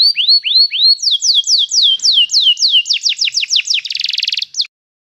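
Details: A canary sings a training song: upward-slurred whistles, then a long run of quick falling notes speeding up, ending in a dense buzzy trill and silence.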